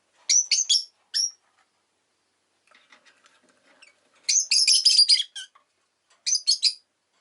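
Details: An orange pet Rosy-faced lovebird, recorded shortly before it died, gives sharp, high, scratchy chirps in quick bursts of three or four, with a short busy chatter midway and near-silence between, with faint street and traffic noise.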